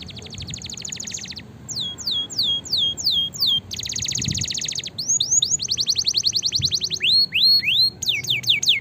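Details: Canary singing, used to train and stimulate lazy canaries: fast buzzy trills alternating with series of sweeping downslurred whistles and upswept notes, rapid and varied phrasing.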